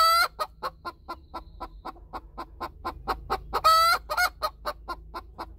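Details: Hen's post-laying cackle, with another hen nearby: a brief squawk opens, then regular clipped clucks repeat steadily before a second pair of loud, drawn-out squawks and more clucking.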